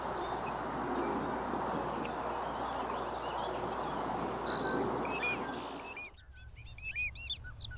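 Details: Savannah sparrow, a ground-nesting meadow bird whose song evokes an insect's stridulation: a few thin high ticking notes then a sustained very high buzzy trill, over steady broad field noise, followed by quieter scattered chirps.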